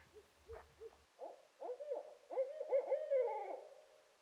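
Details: Barred Owls at dawn in early spring, at least two pairs in the area, give a few short deep hoots, then a loud wild run of rising and falling cackling hoots overlapping like two birds calling together; crows and sapsuckers harass them.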